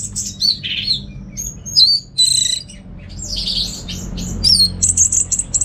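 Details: Orange-headed thrush kept in a cage in North Bali singing rich, scratchy phrases mixed with sharp whistles, finishing on a quick series of very high, thin repeated notes.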